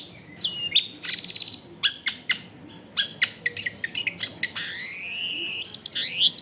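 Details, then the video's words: Long-tailed shrike singing a varied, filled-out song near homes in a densely populated area: sharp clicks and chips, then a long smooth whistled note gently rising and falling, ending in a quick upward sweep over low steady background noise. "CENDET GACOR FULL ISIAN MEWAH COCOK BUAT MASTERAN CENDET MACET BUNYI AUTO MENJERIT"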